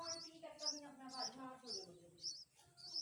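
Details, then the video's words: Young bulbuls begging while being fed, a run of sharp, high squeaky chirps roughly twice a second over lower murmuring background sound and faint voices. "bulbul feed their baby"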